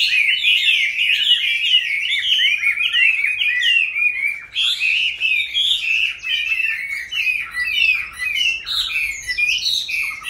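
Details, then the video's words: Wild-caught Chinese hwamei, kept caged for five years, delivers a fast, unbroken medley of bright whistled and slurred notes, with a brief dip in loudness midway before the energetic warbling resumes. "Có những chú họa mi trong clip Q nuôi từ bổi sang năm thứ 5"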